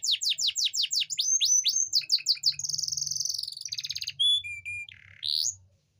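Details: Male-style canary song aimed at prompting a female to mate: loud repeated downward-sweeping notes, a long buzzing trill, a lower rattle, then clear whistled notes and a final rising sweep.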